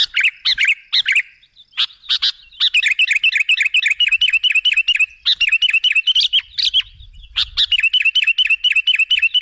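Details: Lure recording of a sooty-headed bulbul for drawing in other birds: dense, rapid chattering of bright bubbly notes running almost without pause, briefly breaking off near the start before resuming.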